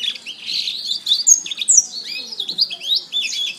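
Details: Canary song for training: a soft warbled start builds into loud high whistled notes and quick trilled phrases, continuing with rhythmic chattering bursts to the end.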